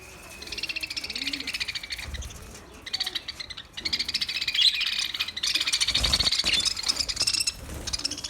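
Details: Budgerigar making a parrot talking voice: continuous bright, rapid chirping and buzzy warbling chatter that barely pauses, with faint low thumps beneath.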